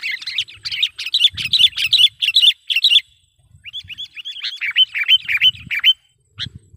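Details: Sooty-headed bulbul lure call for bird trapping: three seconds of loud, rapid chirping notes, then a sequence of clear rising-falling whistles, ending with one sharp chirp.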